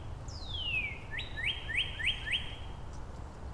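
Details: Northern Cardinal singing in Angrignon Park on March 19, one of several neighbouring males exchanging song variants: a long whistled note sliding downward, then a clear upward-swooping note and four quick rising slurs, with a steady low rumble behind.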